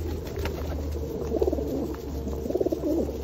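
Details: Feral pigeons being fed in the rain at Osu Kannon in 2021; low, rolling coos swell twice, near the middle and again toward the end, over a steady low rumble of rain and background hum.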